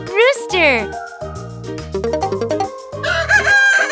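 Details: Rooster on a farm crowing: a loud, quickly rising and falling cock-a-doodle-doo at the start, then steady children's music with plucked and keyboard notes filling the rest.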